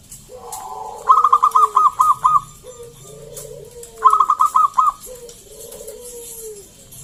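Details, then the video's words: Local wild zebra dove song, played to lure other doves into singing: two bursts of rapid staccato high coos, about seven notes each, each followed by long, lower, smoothly falling coos in the background. "PERKUTUT GACOR SUARA PALING AMPUH UNTUK PANCINGAN BUNYI BURUNG PERKUTUT AGAR NYAUT GACOR"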